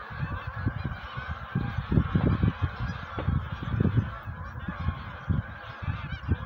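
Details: Wild geese gathering before migration; a constant chorus of overlapping honks from a large flock under heavy low rumbling and irregular thumping noise close by.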